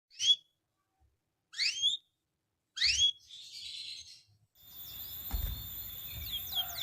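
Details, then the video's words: Canary giving three separate short rising-then-falling whistled notes about a second and a half apart, followed by hissing noise and faint high tones. "Υour Canary Will Sing UNSTOPPABLY"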